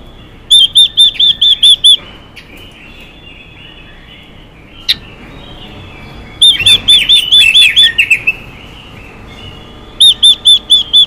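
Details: Female Chinese hwamei calling to stir males: three runs of five to seven loud, ringing, upslurred whistles, each run about a second and a half long. The second run blends into a rougher warbling phrase. Quiet pauses and a faint steady hum separate the runs.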